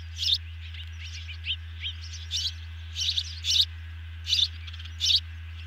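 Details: Osprey calls at a nest camera during a big evening fish delivery, two young being fed by an adult; high, squeaky chirps in short bursts about once a second, with a steady low electrical hum throughout.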